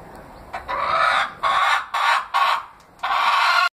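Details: A pet Leghorn hen, rescued from a vaccine laboratory, gives five harsh, nasal squawking calls of uneven length, the first and last drawn out, the middle ones short, spaced about half a second apart.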